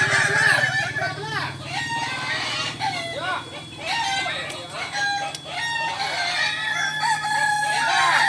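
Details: Kokok Balenggek chickens training together in Ampang Kualo, Solok, West Sumatra, crow in a dense chorus of repeated, arching, stair-stepped notes over a steady low hum.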